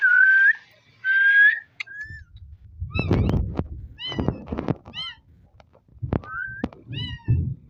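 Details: Talking pet ringneck parrot: two steady whistled phrases, then a burst of thumps and clicks mixed with short rising-and-falling harmonic notes, ending with a brief whistled slide.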